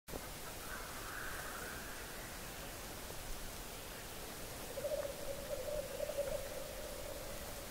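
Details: Male black grouse lekking at 3:30 am on a bog edge in forest, Hedmark, Norway, about one kilometre away; faint, low bubbling rolls of notes in a steady burst, after a brief hiss, over strong broadband background noise.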